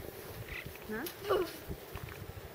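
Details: Young Alpine choughs being fed on the Dachstein beg with a few harsh, wavering, nasal notes that rise and fall, bunched near the middle of the clip over a low, rustling background.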